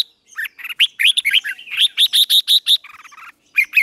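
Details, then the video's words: Morning song practice by a red-whiskered bulbul: a lively sequence of evenly spaced, bright whistled chirps, then a soft low buzzy patch and two closing notes. "Luyện chào mào hót sáng, QUÁ HAY - CHÉ KÍCH BỔI CĂNG ĐÉT, Cách luyện chào mào hót căng lửa"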